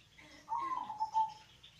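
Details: Deep-voiced local zebra dove, recorded as a lure for doves that are slow to sing, gives a single bubbling coo phrase of quick throbbing notes that sag slightly toward the end.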